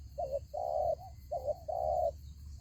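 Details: Spotted dove kept as a decoy for trapping wild doves, giving two short-long coo pairs: a quick wavering coo followed by a fuller drawn coo, with low background rumble.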